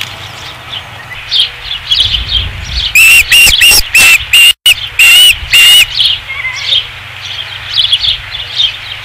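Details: Osprey on a nest at Dunrovin Ranch, 5 August 2016, bursts into a rapid run of loud piercing whistled notes, about a dozen in two and a half seconds, between softer background chirping.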